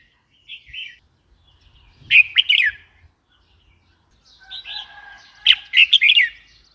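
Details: Red-whiskered bulbul with soft introductory whistles followed by loud, quick chattering phrases of three or four bright notes, repeated twice; faint low rumble in the background.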